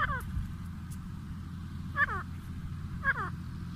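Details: A pair of grey francolins: three short, harsh, stacked phrases of quickly falling notes, one at the start and two more about a second apart, over steady low rumbling noise.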